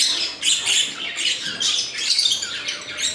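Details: Breeding colony of lovebirds, including peach-faced birds and colour mutations such as opaline, green Fischer's, red-eye split and parblue split, with young present; dense, overlapping shrill squawks and chirps from many birds at once, rising and falling in loudness.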